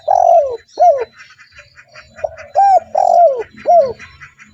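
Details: Cooing of a spotted dove used to lure other doves, loud arched coos and long downslurred notes repeated about twice a second, with quieter cooing of other doves in the background.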